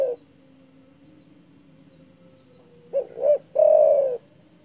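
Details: Spotted dove with a loud call said to provoke rivals: a faint coo ending at the start, a quiet gap, then a full phrase of two short hoots and one long, slightly falling coo.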